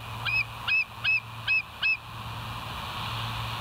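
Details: Bald eagle filmed by a live nature cam on 24 September 2023 at 06:59, calling five short, evenly spaced high piping notes, each with a hooked downward twist, then only steady background hiss and hum.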